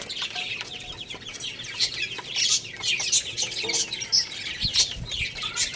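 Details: A flock of baby chicks plays and eats, keeping up a steady stream of sharp, high peeps. A few lower, faint clucks are heard in the background.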